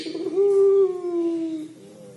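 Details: Single extended, gently descending low note from a puter pelung collared dove in its 'crying' manner, steady and even before tapering off.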